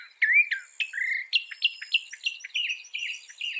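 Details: Mimicking northern mockingbird, credited with copying 200 sounds, delivering a fast run of slurred whistled notes that step upward and downward, phrases repeated two or three times each over a thin high trill.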